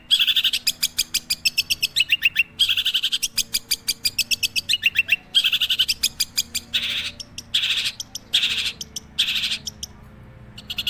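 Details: Long-tailed shrike kept as a cage bird; rapid strings of sharp, high, ticking notes repeated several times a second, broken by short pauses and a few slurred phrases, then slower emphatic bursts near the end.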